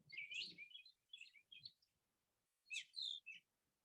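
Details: A Brown Thrasher, a mimic, sings from a treetop in Georgia on a foggy, humid April 10, 2021: bursts of quick, varied, high chirping phrases with short pauses between, over a faint low rumble.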